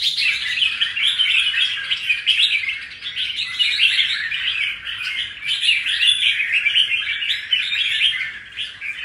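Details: Red-whiskered bulbul, a wild-caught cage bird freshly past its moult, delivers a steady unbroken stream of busy chattering whistles for about nine seconds, the phrases running together without pause.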